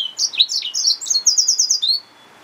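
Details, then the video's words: A yellow-fronted canary mule, hybrid finch, sings a lively phrase of high, varied chirps leading into a fast trill of repeated short notes and a final rising whistle. "Yellowfronted canary mule | Hybrid Finch"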